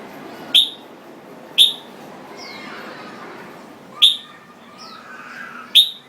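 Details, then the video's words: Jambul bird singing, giving four sharp, piercing chip notes spaced unevenly about one to two seconds apart, with soft fainter slurred notes between them and low background murmur. "Jambul Bird Singing"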